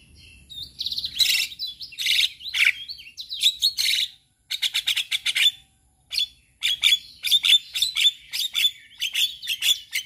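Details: Song of a male Javan myna, played to teach other mynas: bursts of scratchy chatter and buzzy notes broken by brief silences, followed by fast clicking series and high chips.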